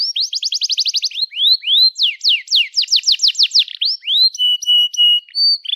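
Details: Long, lively canary song used as a lure for young canaries learning to sing: a fast trill, a few slow rising notes, a run of sharp downsweeps, then steady flat whistled notes.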